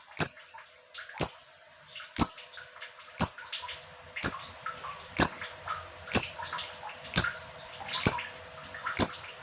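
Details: Female lovebird calling in a 'ngekek' session meant to set other lovebirds singing: single sharp, high, squeaky chirps spaced about a second apart, with faint softer twittering between them indoors.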